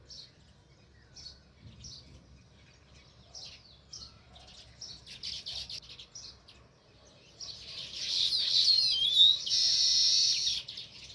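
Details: Near its nest in a village, a sparrow gives scattered high chirps every second or so, building into a loud, continuous stretch of rapid, overlapping chirping toward the end.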